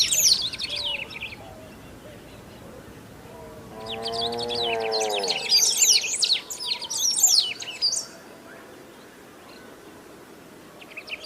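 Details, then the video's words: Great pampa-finch, a bird described as rare in Brazilian nature, singing loudly without stopping: bursts of high, rapid, twittering notes at the start and middle, with a lower harmonic drawn-out call briefly beneath, then quieter background. "CANTO DA SABIÁ DO BANHADO"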